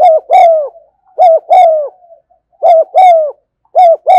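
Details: Spotted dove giving the continuous 'thúc gù' cooing style, recorded in the afternoon: mellow, low hollow coos in quick pairs and triplets, each note slightly slurred down, repeating steadily about once per second with short silent gaps.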